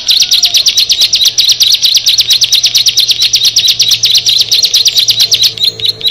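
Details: Bar-winged prinia, known locally as ciblek, one of a group of six, pouring out a continuous rapid trill of high, scratchy notes that stays level for several seconds before breaking into short separate chirps.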